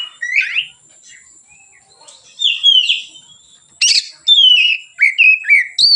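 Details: White-rumped shama singing in relaxed style as a lure for other birds: slurred whistled phrases with a sharp click-like burst midway, then rapid varied whistles rising and falling.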